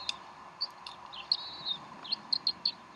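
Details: Bald eagles at the Decorah nest during an afternoon feeding on 12 April 2012: rapid series of high, sharp chirps and a short wavering whistle, the chirps bunching toward the end, with faint hum behind.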